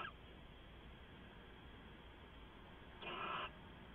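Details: Night-time owl sound from 2 September 2014, late evening: after quiet hum, a single rough, breathy screech of about half a second arrives near the end.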